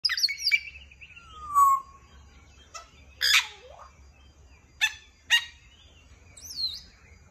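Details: An African grey parrot, a talking bird, gives a varied run of whistles, a drawn-out falling whistle, and harsh broadband squawks at irregular intervals, with a faint low hum beneath.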